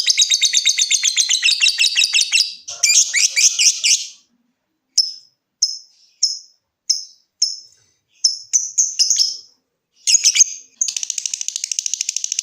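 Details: Lovebird song played to make other lovebirds trill: a rapid shrill trill and harsh chatter, then separate sharp ticking notes spaced about half a second apart, ending in a fine fast buzzy trill.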